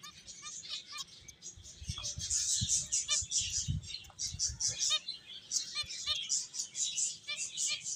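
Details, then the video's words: Several finches playing and chirping busily, with many short, high, thin chirps and twittering notes overlapping, plus faint low rustling and soft thumps. "Cute Birds Chirping Sounds | Beautiful Finches Playing"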